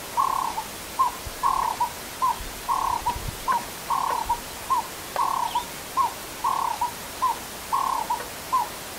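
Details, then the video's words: Burchell's coucal (Centropus burchellii), known as the Rainbird, calling in the Kruger: a long series of soft, hollow hoots, about two every second, at a steady low pitch over quiet background hiss. "Burchell's Coucal (Centropus burchellii) Bird Call Video - Rainbird Calling"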